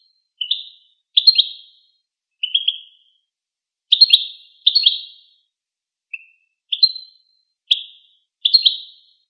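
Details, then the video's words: Goldfinch repeating short, high, slightly buzzy two-part call notes roughly once a second, each a quick twittered chip; otherwise silent. "Songs of the Goldfinch"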